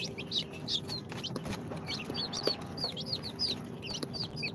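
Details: Incubator-hatched chicks on their second day, Sultan, Golden Sebright, Cochin and booted breeds, chirping constantly: many high, short, downslurred peeps from several birds overlapping, over a low mechanical hum.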